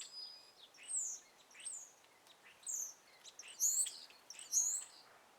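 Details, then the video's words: Birds chirp among trees at sunrise in a gentle morning breeze: short, high, bright notes about one a second, some with sweeping whistled phrases, over a faint steady background hiss. "birds chirping"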